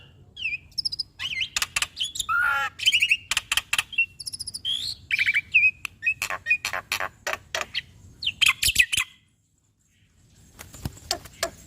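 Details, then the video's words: Black-winged starling, a caged bird, singing actively in a full fill-in style used as a training recording: rapid dry rattling bursts mixed with short whistled and buzzy notes, one slurred descending phrase, then a brief pause and soft clicks. "Masteran Burung Jalak Nusa = Jalak Putih Gacor Full Isian Mantap - Jalak Pito Istimewa"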